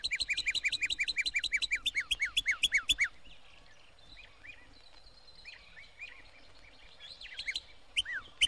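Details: Northern Cardinal song in Florida, 1969 record: a quick run of about fifteen clear, down-slurred whistles in three seconds, then a few softer slurred notes after a quiet pause.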